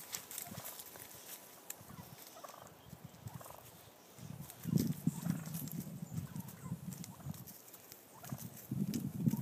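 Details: Wild turkey males battling for dominance in brush on California's central coast; low rapid gobbling and guttural rattling calls swell in bursts, loudest from about the fifth second on, with rustling underneath.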